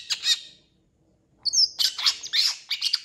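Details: Long-tailed shrike (Lanius schach) singing a harsh, scratchy mimicry medley: a squawky burst, a pause, then a clear high whistle followed by rapid chattering phrases.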